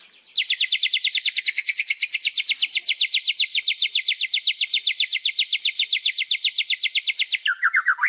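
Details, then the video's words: Isian phrase from a white-rumped shama: a long, fast, even rattling trill of high metallic notes, repeated about twice per second for seven seconds, ending in a brief lower slurred note. "BURUNG MURAI‼️ SUARA ISIAN KUMPLIT"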